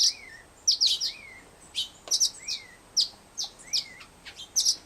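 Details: Captive fledgling Black-headed Grosbeak asking to be fed with a soft whistle and trembling wing. Four or five low, arching whistles alternate with louder, high, clipped double chirps.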